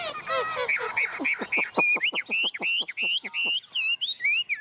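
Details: Chinese hwamei, a tame bird performing 'ôm cóng' on a person's hand, opens with harsh rapid chattering notes, then shifts into bright, rising whistled phrases repeated in quick succession.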